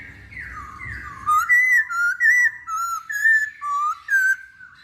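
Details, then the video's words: Singing masked laughingthrush, played to stir other birds to sing: a string of clear, loud whistled notes, each a short slur up or down, given in an even rhythm about twice a second. "Pancingan Poksay Hongkong"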